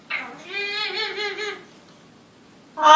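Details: Talking parrot kept at a business in Green Bay, Wisconsin, known for chatting with customers. A long, wavering, voice-like phrase is followed by silence and then a sudden loud, bright tonal burst at the end.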